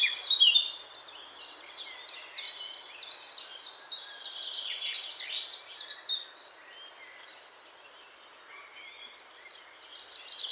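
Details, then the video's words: Eurasian blackcap song: a fast, dense warble of high chattering and twittering notes, loudest in the first seconds and running steadily for about seven seconds before thinning into quieter scattered notes over faint background hiss. "Vogelgesang: Mönchsgrasmücke (Sylvia atricapilla)"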